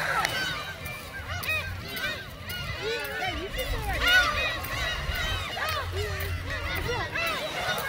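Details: A crowd of gulls at Seonjaedo, fed shrimp crackers around 25 March, cries at once with many overlapping mewing calls that rise and fall over a steady low engine-like rumble.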